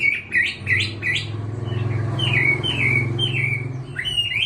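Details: Post-molt caged Chinese hwamei of about six months: repeated downward-slurred whistles with hooked rising ends, delivered steadily over a continuous low hum in the background.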